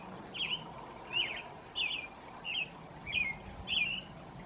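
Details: American robin singing in the evening: six short clear warbled phrases, each rising and falling, about two-thirds of a second apart, over a faint steady low background hum.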